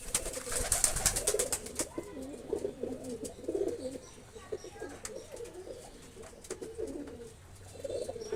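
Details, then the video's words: Continuous low pigeon cooing in rolling, overlapping phrases, with a burst of sharp clicking or clattering early on and soft hiss throughout. "Pigeon Sound Effect"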